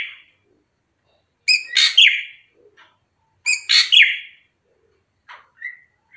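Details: Srigunting krantil drongo used as a lure recording, singing all day: two loud harsh phrases about two seconds apart, each a rasp sliding into a descending whistle, with short soft chirps and a brief whistle after.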